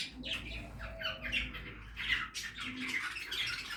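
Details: Budgerigars in a backyard aviary while feeding, with continuous hoarse, buzzy chattering and chirps overlapping throughout.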